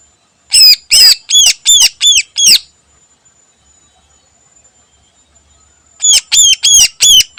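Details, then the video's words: Greater green leafbird singing in the morning with mimicked phrases: a rapid burst of seven harsh arched chirps, about three seconds of quiet, then another quick run of five. "Burung Cucak Ijo Full Isian Istimewa Gacor Pagi Hari"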